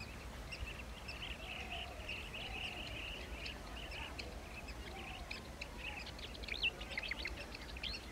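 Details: Blue-tailed bee-eaters at their nesting site give short, rolling chirps in quick, uneven bursts, several birds overlapping, over a low steady rumble of background noise.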